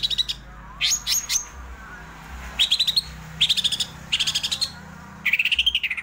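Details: Cucak ijo, the greater green leafbird, in an excited 'ngerol' rolling song: loud bursts of rapid high sharp notes repeated about every second, ending with a rising slurred phrase.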